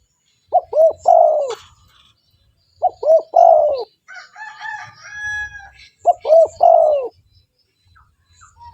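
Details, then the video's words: Spotted dove in full voice, used to lure wild doves, repeating three phrases of two clipped coos and a long falling coo, while a rooster crows between the second and third phrases. "TEKUKUR GACOR 💯 Ampuh untuk pancingan burung tekukur bahan"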